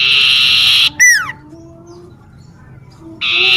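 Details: Common iora singing in a home garden; a buzzy trill breaks off into a clear falling whistle, a quiet pause follows, then the trill starts again.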